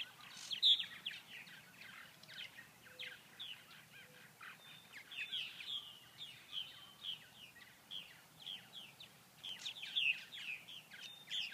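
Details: Purple martins in Grand Forks, North Dakota, during cool 39°F weather, unable to feed with no flying insects about and not very active; steady chattering of croaky, gurgling notes, a few louder squawks standing out.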